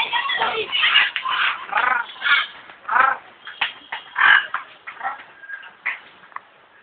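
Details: African grey parrot held at the zoo in Alipore, Kolkata, India, uttering a rapid run of about a dozen short, varied squawks and chattering notes, growing fainter toward the end.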